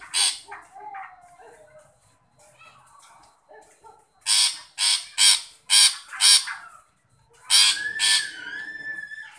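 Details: Long-tailed shrike calling: harsh, rasping bursts repeated about every half second in a loud series, with softer scratchy notes before and a clear sliding whistle at the end.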